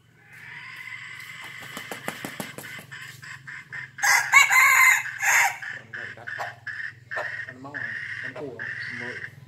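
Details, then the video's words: Five-month-old red junglefowl crowing fiercely: a loud, harsh, buzzy crow of about a second and a half arrives midway, following scattered clucks and clicks, with softer calls trailing afterward. "Gà rừng năm tháng tuổi gáy cực gắt"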